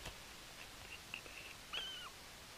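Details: Bermuda petrel recorded on Nonsuch Island on 13 April 2020: a soft, level, moaning note lasting roughly a third of a second, falling away at its end. Faint short squeaks and a tap precede it against steady low hiss.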